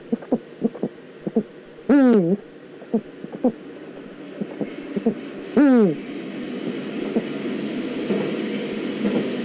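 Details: Eurasian eagle-owl, Eifel, 9 September 2014: a pair of loud, rasping, swooping calls nearly four seconds apart, with frequent short knocks around them and a steady low rumble building toward the end.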